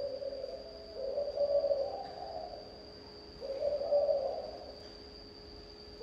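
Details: Spotted dove cooing, local-style song: low soft coos around a single pitch, two phrases about two and a half seconds apart, each a short run of mellow notes; steady faint electronic whine in the background.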